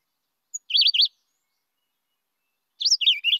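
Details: Philadelphia Vireo, a less common vireo passing through DuPage County, Illinois on migration, sings two short, slurred whistled phrases, each a quick up-and-down warble, separated by about two seconds of silence.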